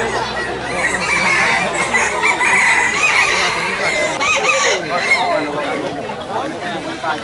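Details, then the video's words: Hybrid red junglefowl competing in a crowing contest, called 'Sorok Bon', at Felda Tenang, Terengganu. A long, steady wall of overlapping crows from many birds, with faint voices mixed in. "Pertandingan suara kokok ayam hutan hybrid"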